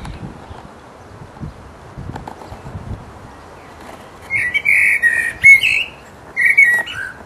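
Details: After several seconds of soft low rumble, a resident blackbird sings its mating song in full voice, two mellow warbled whistle phrases each ending in scratchy high twittering flourishes.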